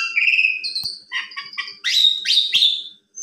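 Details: Asian pied starling song used as an afternoon lure and master recording for training young birds, with long clear whistles around the middle, then a few short stuttered notes and sweeping rising whistles, nothing else audible.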